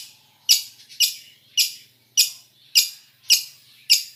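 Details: Long-tailed shrike in a mixed fill song recording meant for tutoring. Single harsh, high, rasping notes repeat about every half second, each a sudden burst fading quickly.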